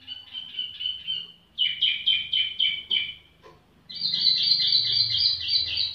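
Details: Tiểu mi bird singing idly: a steady whistle, then a run of rapidly repeated bright notes, a pause, and a dense, buzzy high warble, with low background hum.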